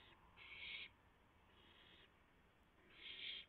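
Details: Owls at a nest in the early hours of April 7, 2016, at a rabbit delivery; two loud rasping screeches with a fainter one between, spread over a few seconds.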